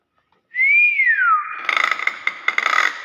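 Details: Common hill myna: one loud, clear whistle rises, then slides down, followed by a buzzy, crackling burst with sharp clicks.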